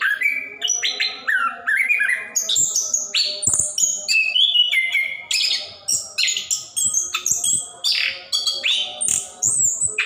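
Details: Caged orange-headed thrush singing nonstop in the gacor ngerol style, used to coax reluctant birds into singing; dense torrent of loud varied whistles, buzzy notes and high chips in quick bursts about every half second.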